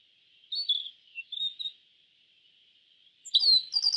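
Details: Yellow bunting song: a few soft, thin whistled notes against a steady high hiss, then a louder sudden burst of sharp chirps and rising notes at the close.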